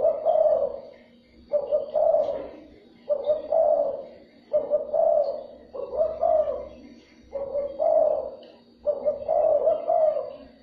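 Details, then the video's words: Spotted dove calling to stimulate and lure other doves: low, mellow cooing phrases, each a short note then a longer rolling coo, repeated about every one and a half seconds, seven phrases in all, steady background hum. "chim cu gáy , kích bổi siêu nhanh"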